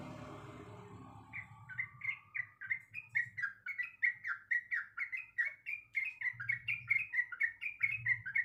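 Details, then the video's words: Sooty-headed bulbul, a female in breeding condition calling for the male, gives a long, fast, uneven string of chirping, bubbly notes, about four per second, after a brief rustling noise at the start; faint low hum behind. "Suara Dan Nyanyian Trucuk Gacor Yang Merdu"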